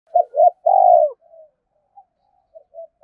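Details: Spotted dove giving rapid urging coos, the fast 'thúc gù' style played to stir up other doves: two short hollow notes and a longer, louder falling coo, followed by soft trailing murmurs and a few faint clipped notes.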